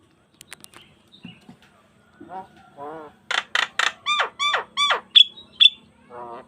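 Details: Jalak kebo, Javan myna, in mompa full-variation song for training other starlings: soft grating notes build into a loud run of buzzy downslurred pulses, then two piercing whistles and a final soft rattle.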